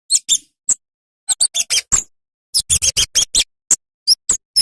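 A flowerpecker gives sharp, very high ticking notes in quick irregular bursts, some doubled, with brief pauses between runs; nothing else is heard.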